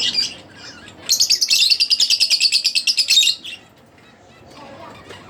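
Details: A split blue Fischer's lovebird kept as a pet gives a fast, even string of about twenty shrill, buzzy chirps over two seconds, followed by quiet.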